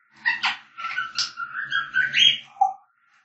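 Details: African grey parrot whistling and singing: an unbroken run of warbled, chattering notes that slide up and down for nearly three seconds, ending in a short lower note.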